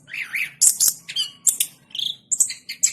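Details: Short burst of orange-headed thrush song: lower warbled notes at the start, then sharp high squeaks, buzzy fragments and a clear whistle, all packed into three seconds.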